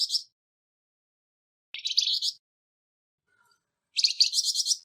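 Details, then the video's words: Coarse-voiced Flamboyan bird for songbird training; a brief rasp, then a scratchy pulsed phrase and a longer buzzy rattling one, with quiet gaps between. "Burung Flamboyan Suara kasar"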